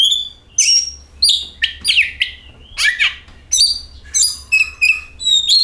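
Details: Lure song of an oriental magpie-robin (kacer): energetic string of high whistles, downward-sweeping slurs and short stuttered notes, roughly one and a half phrases per second, clean and close.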